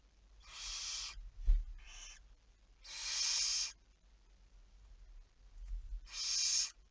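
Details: Barn owl recorded on 11 May 2019 at 23:34, at night: four harsh, hissing screeches, each under a second long and spaced irregularly, with a soft thump between the first two.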